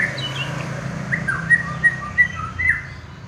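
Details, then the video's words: Prize-winning contest white-rumped shama giving a short run of clear whistled notes, each sharply upslurred then dropping, repeated about every third of a second, over low background hum. "BURUNG MUARAI JUARA"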